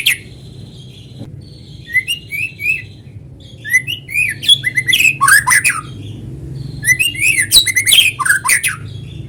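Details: White-rumped shama song played as a lure to get other shamas singing: rapid bursts of varied whistles, slurred rising and falling notes and sharp chips in phrases of a few seconds, over a steady low hum.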